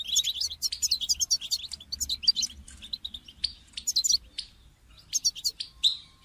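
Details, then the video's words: Caged European goldfinch, calling so another caged goldfinch will sing; continuous rapid tinkling twitter early on, then spaced bursts of high chirps, over a faint low hum. "votre chardonneret ne chante pas voila la solution"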